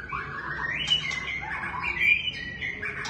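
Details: Brief White-rumped shama phrase: sustained high whistles with small twists in pitch, marked by a couple of sharp ticks.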